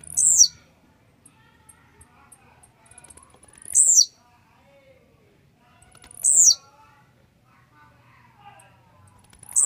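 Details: Four quick, high, buzzy descending phrases from a warmed-up, grumpy Blue-black grassquit, repeated roughly every two and a half seconds against a quiet background with faint scattered chirps.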